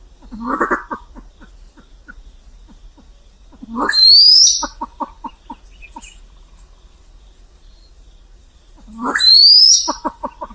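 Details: Vietnamese pheasant calls twice, each time with a grating burst and a shrill upward whistle, between stretches of rhythmic soft clucking.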